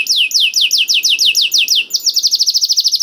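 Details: Canary song intended to get other canaries singing: a string of rapidly falling sweeps about five per second, switching into an even faster, tightly spaced trill.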